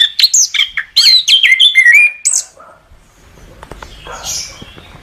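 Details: Orange-headed thrush, recorded as a master song for training other birds: a rapid run of loud, varied whistled and warbled phrases with sharp up-and-down notes for over two seconds, then near silence with faint rustling.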